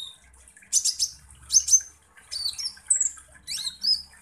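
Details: Kolibri ninja sunbird song used as a lure to stir up rival birds. Two high buzzy trill bursts are followed by sharp, varied chirps and short downslurred whistles, with faint low rumble beneath.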